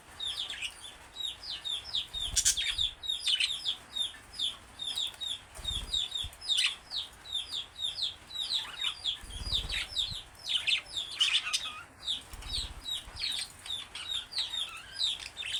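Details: Pet budgerigars (Mango and Chutney) chatter in a fast, continuous warble of chirps, clicks and squeaky notes, singing and talking.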